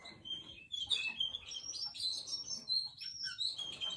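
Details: Russian canary singing a soft, continuous warble of high twittering notes and short trills, heard fairly faint over a background hiss.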